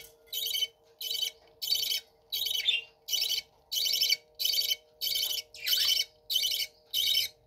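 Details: Captive budgerigars (parakeets) in a bird room: harsh, buzzy, broadband calls repeated about every two-thirds of a second, with a faint steady hum underneath.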